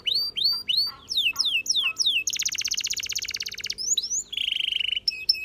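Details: Canary song for training: repeated arching whistled slurs, quick falling notes, a long loud buzzy trill, then a lower steady rattle and a few clipped chirps.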